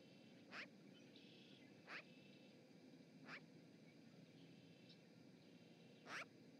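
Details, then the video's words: Chatty magpie at an osprey nest in Charlo, Montana, 7 March 2018, live camera recording: four brief, scratchy, harsh notes spaced one to three seconds apart, faint against a constant outdoor hiss. "Chatty magpie"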